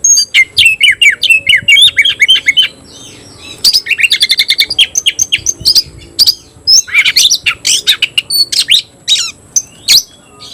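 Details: Caged oriental magpie-robin (kacer) singing in the 'tayoraky' style, kept and cared for at home, described as singing constantly and fanning its tail. Rapid, varied whistled and scratchy notes, dense and continuous with brief pauses, ending in clear slurred phrases.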